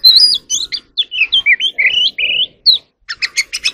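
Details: Oriental magpie-robin (chòe than), kept as an ornamental bird, singing during voice practice: a loud run of clear whistled notes sliding up and down, then a pause and a string of sharp clipped chips.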